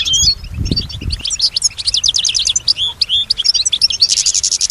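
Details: Pet female European goldfinch singing in reply to other sounds she hears; quick series of sharp liquid chirps and trills, closing with a rasping buzzy burst, soft low knocks at the start.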